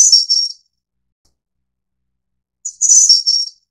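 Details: Snowy-browed Flycatcher, Taiwan subspecies innexa: the end of one high whistled phrase, then after two seconds of quiet a full bright, jingling phrase dropping slightly in pitch toward its close.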